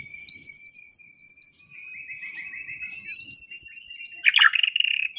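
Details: Morning and evening training song of a white-rumped shama: repeated high whistled triplets over a steady sustained whistle, ending in a loud harsh rattling burst.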